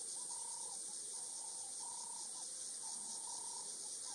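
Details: Bateleurs, two adults and a juvenile, taking off from a branch in Kruger National Park: short, even, mid-pitched notes repeated about twice a second in loose runs, over a loud, steady, high insect drone.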